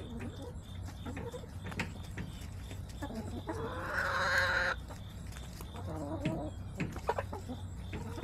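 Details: Backyard chickens clucking in September; scattered soft clucks, then a louder drawn-out squawking call around the middle, followed by more clucks over a constant low hum.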